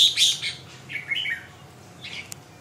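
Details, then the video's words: Red-whiskered bulbul singing a few quick chirping and warbling phrases, the loudest at the start, followed by softer slurred notes and a sharp click, with a low background hum. "Kênh về chim Chào mào"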